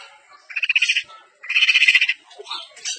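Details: Pentet, or long-tailed shrike, of East Javanese semi blangkon type singing isian material: two buzzy rasping bursts, each about half a second long, separated by a short pause, with softer chatter after them.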